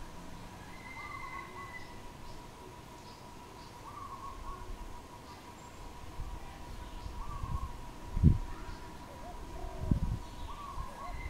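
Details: Wild dove in Cambodia, April 2020, giving soft, low cooing phrases of a few short notes, repeated roughly every three seconds over a steady background hum, with two sharp thumps near the end.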